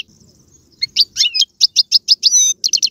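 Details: European goldfinch song to get a pet goldfinch singing: a regular series of bright chirps, about five per second, with a buzzy note and a quick ending trill.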